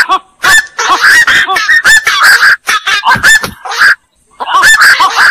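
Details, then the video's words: Black-crowned night heron: a burst of rasping, honking squawks from overlapping birds, a brief lull, then another harsh flurry. "suara burung koak"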